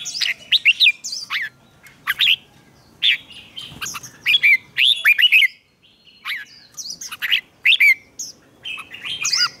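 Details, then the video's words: Red-whiskered bulbul competition song for training: repeated phrases of loud, quick, swooping warbled whistles over nearly ten seconds, with brief silent gaps between groups. "Chào Mào Hót Đấu"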